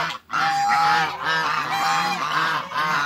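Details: African geese, three together on a farm, honking loudly and almost continuously, the harsh nasal calls overlapping with barely a break.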